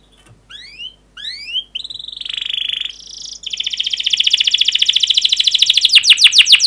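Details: Canary song opening with scattered rising whistled sweeps, followed by a buzzy held note and a long accelerating rolling trill that grows louder, a stimulus for other canaries.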